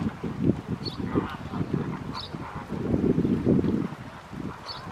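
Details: Colony of pink-backed pelicans at Réserve Africaine de Sigean giving low, hoarse, overlapping grunts and croaks almost continuously, with a few brief higher chirps from other birds in the background.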